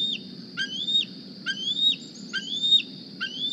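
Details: A young Decorah bald eagle squeeing on the nest for a meal one morning: four drawn-out, thin rising whistles ending in a quick drop, spaced under a second apart, over a quiet low rumble.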